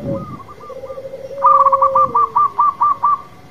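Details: Local zebra dove, a champion-class singer, in full cooing song: soft low notes slide downward, then a rapid series of even, rounded coos repeats about three times a second.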